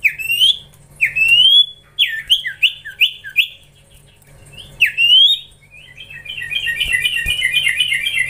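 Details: From a young Common Iora (cipoh) being trained come clear rising whistles and quick paired notes, with short gaps between them. The phrase then turns into a faster, twittering run of chattering notes.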